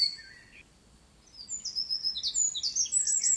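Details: Eurasian wren singing fast, high, tinkling notes; a short lower note opens, then after a quiet gap a rapid rattling series of trills and bright chirps builds to the end.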